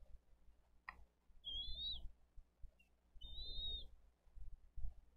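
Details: Bald eagles feeding their eaglets fish at a Dade County nest, recorded by nest camera on 22 April 2023: two separate drawn-out, high, slightly rising whistles about two seconds apart, with a click and low thumps between.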